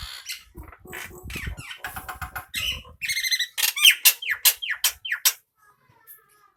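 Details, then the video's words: Male Nias hill myna with no human voice in the recording. A varied run of harsh squawks, chattering notes and loud slurred whistles, with the calls growing louder and more spaced toward the end before falling quiet. "Jalak nias jantan cocok untuk masteran tanpa suara manusia"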